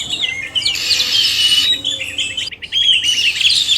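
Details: Oriental magpie-robin pair, male and female, singing: bright whistled notes and a harsh buzzy burst, a brief pause, then a quick run of clipped repeated ticking notes leading into more high warbling.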